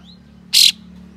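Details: Single loud, rasping buzz from an Ashy tailorbird (kapas tembak) in full tail-open display, a rough 'besetan' note intended to provoke other tailorbirds. Short and strident against faint background hum.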